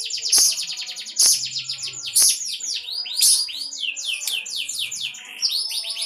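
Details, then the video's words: Unbroken konslet song from a lovebird: sharp loud clicks punctuate a dense stream of quick, swooping high chirps, roughly one accented burst per second, continuing nonstop throughout. "Ciri ciri lovebird konslet"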